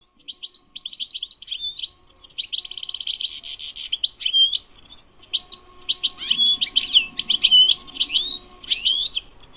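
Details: European goldfinch, a wild-caught bird from a Sunday bird market, singing a fast varied song of tinkling twitters, buzzy trills and short clear whistles, high-pitched and continuous; a faint steady low hum underneath.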